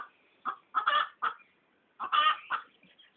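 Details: Domestic Pekin duck laughing at a person: two bursts of loud, raspy, nasal quacks, each a quick run of three or four harsh notes with short gaps between them.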